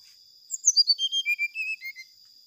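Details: Brown-chested jungle flycatcher song used as a lure to provoke rival birds: a clear, high whistled phrase of about ten notes stepping steadily downward in pitch, each note short and pure, over a faint steady high tone.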